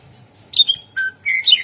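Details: Greater green leafbird lure song to prompt silent birds: a falling whistle, a steady lower whistle, then a warbled high phrase of clear notes.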